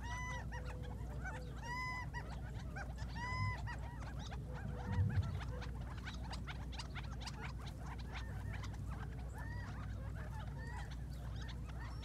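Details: Quail at dawn in the Mohave Desert, a flock waking up and calling, recorded at a distance with a phone: repeated stacked nasal notes, clucks and sliding calls in a dense chorus, with constant low-frequency background hum.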